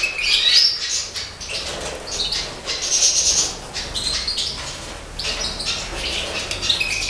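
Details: Breeding major goldfinches from the 2012 season, likely caged: bright, high twittering and trilled phrases in bursts with short pauses, mixed with wing flutters and rustling.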